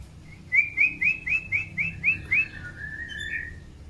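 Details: White-rumped shama, long-tailed type, being paired for breeding, gives eight rapid rising whistled notes in a steady series, then a drawn-out falling and rising whistle, with a soft low hum behind.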